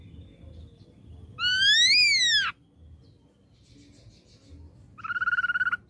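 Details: Ashy drongo lure song meant to provoke a response: a strong whistled note arching up then dropping, a pause, then a short, fast, buzzy trill.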